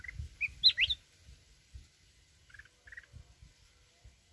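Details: Wild-voiced song of a mountain red-whiskered bulbul: a tight cluster of sweet, rising and falling whistled notes, followed by a few softer short chirps. The background is mostly quiet.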